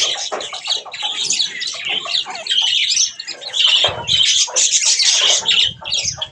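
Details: Several pet budgerigars at bath time keep up a dense, scratchy warbling chatter with sharp squawks, accompanied by bursts of fluttering and splashing.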